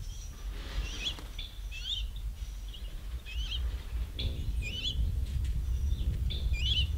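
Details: Several ruby-throated hummingbirds fighting over feeders: a series of high, twisting squeaky chips repeated roughly every half to one second, with a steady low rumble beneath.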